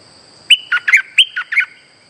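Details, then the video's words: Streak-eared bulbul lure call for trapping: one brisk phrase of six bright, slurred chirps delivered in about a second, loud and clear above a steady faint high whine. "Suara pikat merbah lekir gacor"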